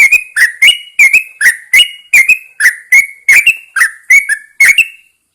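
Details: Early-morning singing from a caged Yellow-vented Bulbul hung outside: a continuous series of paired, liquid whistled notes, rising then dropping, repeated roughly twice a second before stopping.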